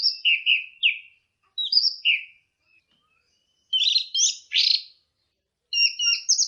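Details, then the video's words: Orange-headed thrush giving teler-style song: paired clear whistles and downslurred chirps, a pause, then harsher buzzy notes and rising whistled notes; quiet between phrases. "Kicau Anis Merah Teler"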